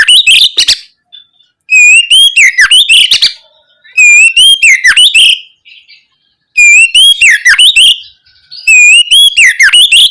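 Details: Oriental magpie-robin in continuous 'ngeplong gacor' song, played to prompt untrained young birds to reply quickly: five energetic phrases every two to three seconds, each opening with an upward-sliding whistle and breaking into fast scratchy clicks and trills.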